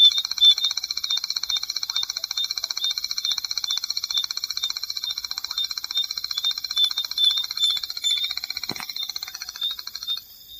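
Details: A Striped Crake, a shy bird of marsh and seasonally flooded grassland, gives a long, dry, high-pitched trill of rapid ticking notes running steadily for over ten seconds, with one brief click near the end.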